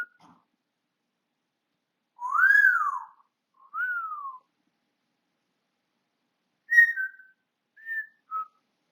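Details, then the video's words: Pet African grey parrot, male, whistling indoors in August 2022: an arched whistle rising then falling, a shorter falling whistle, then after a pause several quick clipped two-note whistles. "My African Grey Parrot Whistling Away"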